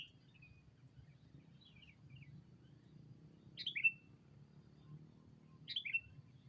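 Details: Lure call of a sooty-headed bulbul summoning a rival. Faint twittering at first, then two clear, sharp chirps about two seconds apart, over a low droning hum.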